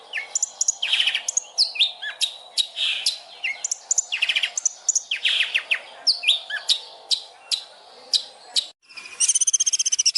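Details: Varied Long-tailed shrike master song for training birds, a long medley of sharp chirps, buzzy rattles and squeaky whistled notes, ending after a brief pause in a fast, high ringing trill.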